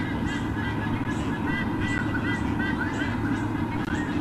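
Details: White-bellied sea eagle squonks at a nest in Olympic Park, Sydney, Australia: evenly spaced, honking nasal calls, around two each second, against persistent low-pitched background hum.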